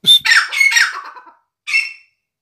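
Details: Hand-tamed grey francolin (dakhni teetar) weighing 560 g gives a brief burst of rough squawking notes, then a short pause and a single harsh note.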